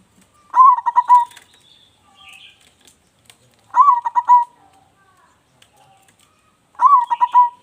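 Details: Local zebra dove, singing actively with a big voice, kept as a lure for other birds. Three cooing phrases about three seconds apart, each a rising note then stuttering pulsed coos. Faint twittering and a little wing flutter come between phrases.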